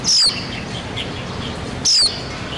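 A white-eye gives two thin, high, downslurred tsee notes, spaced almost two seconds apart, over soft background hiss.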